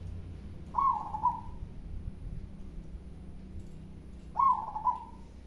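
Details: Zebra dove of a local strain singing with a big voice, two mellow cooing phrases about three and a half seconds apart, each starting with a clear accented note and fading into a gentle trill, low rumble underneath.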